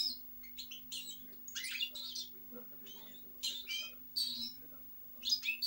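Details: European goldfinch delivering clipped twittering phrases and chirps in separate bursts with quiet gaps, high and bright in tone, over a low steady hum.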